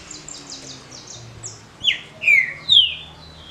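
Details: Short smooth Paraná-style song of a caged green-winged saltator, a competition song: three loud descending whistled notes about half a second apart, after a run of faint high twittering from other birds.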